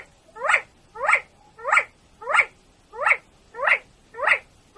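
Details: Chukar partridge, known locally as keklik, recorded in Tajikistan in 2020, giving a regular series of eight harsh, descending chuck notes about 0.6 seconds apart.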